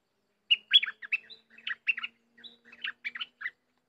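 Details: Wild bulbul drawn in by a decoy bird: a lively run of short, gurgling, chattering notes in quick bursts, with brief pauses and a faint low hum beneath.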